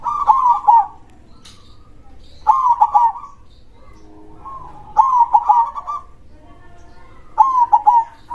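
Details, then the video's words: Zebra dove of local stock, a strong singer in the krosing style. Gurgling, trilled coos fall into short notes, with four phrases spaced roughly two and a half seconds apart in a quiet setting. "suara perkutut gacor dor krosing suara besar"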